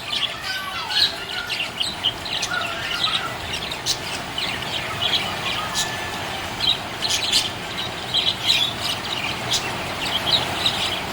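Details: Happy budgie chirping: busy, irregular high chirps and short squawks come in bursts, some rising sharply, over a steady hiss of background noise.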